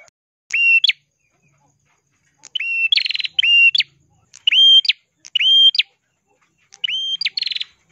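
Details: Red-headed ashy tailorbird in crystal-clear song: six bursts of steady high whistles, each closing with an abrupt rising flick, some overlaid with a buzzy trill, spaced by short silences.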